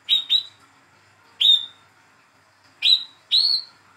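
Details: Speckled young Olive-backed sunbird, hand-reared, calling as a lure for birds that will not sing: a quick pair of bright chirps, then single chirps spaced irregularly, the last two close together.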